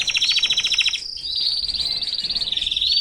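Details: Canary kept in a cage with his family, singing fast pulsed trills: a run of rapid repeated notes, a brief pause, then a high sweeping whistle leading into another long rolling trill.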